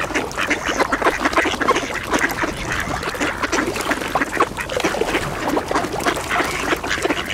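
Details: Mallard ducks in a feeding frenzy at a hole in the ice, quacking for position over scattered bird seed among Eurasian coots and two swans; dense, overlapping harsh quacks and chatter run continuously with splashing and wingbeats.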